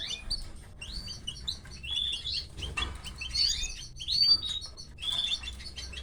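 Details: Young canaries calling while their mother feeds them: dense, shrill, rapidly repeated chirps and squeaks in irregular bursts, with quick rising and falling notes throughout.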